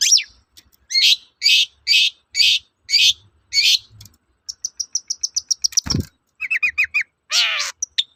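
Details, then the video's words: Long-tailed shrike in lively song, used to provoke replies from other shrikes: harsh buzzy notes repeated about twice a second, then a rapid thin trill, a click, chattering notes and a rasping call. "BANYAK CENDET NYAUT MENDENGAR SUARA BURUNG CENDET GACOR INI"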